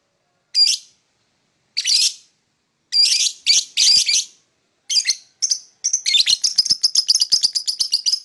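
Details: Lovebird chirping in the morning: sharp, shrill high chirps given singly at first, then quickening into a fast, rattling run of rapid notes near the end.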